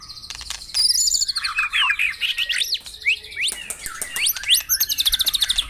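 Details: Morning session song of white-rumped shama used to stir caged birds into singing: overlapping rising and falling whistles, sharp clicks and brief buzzy trills woven into a busy, shifting phrase.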